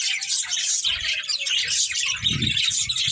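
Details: Short burst of pet budgerigar chatter from a breeding pair, dense shrill chirping and warbling with low fluttering thumps toward the end.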